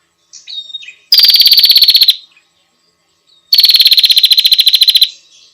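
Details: Female bar-winged prinia in a training recording: a soft short note, then two long rattling buzzy bursts of fast, even pulses, each lasting over a second, with a pause between them.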